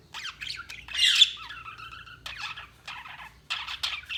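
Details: A budgie lets out a loud raspy squawk followed by a drawn-out whistled note, then choppy bursts of chirping chatter.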